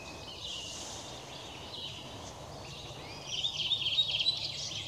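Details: Song of a Redwing, 18 April 2021: soft background twitter gives way near the end to a brisk series of sharp, high repeated notes in quick succession, with other birds calling faintly behind.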